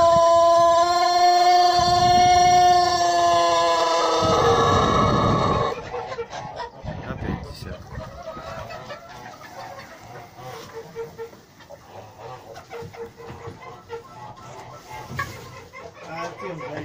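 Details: Yurlov crower rooster, a breeding bird, gives one long, sustained crow of about five seconds, steady and richly layered, ending abruptly; afterwards quieter clucking and mixed farmyard chatter continue in the background.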